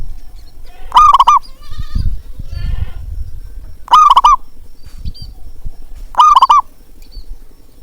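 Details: Local zebra dove (perkutut) calling, used to encourage silent doves to sing. Three strong, quavering, rolling coos come about every two and a half seconds, with faint chirps and low knocking sounds between them.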